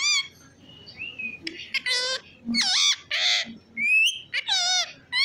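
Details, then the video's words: A pet parrot whistling and calling: harsh, harmonic squawks alternating with clear whistled notes, some sliding upward, delivered in short bursts about a second apart. "अरे वाह ये मिट्ठू तो सीटी भी मारता है। whistling parrot"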